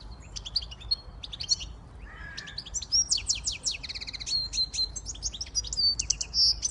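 A siskin-goldfinch hybrid sings a fast, twittering song of high tinkling notes, buzzy trills and squeaky whistles, rising and falling in quick bursts with little pause.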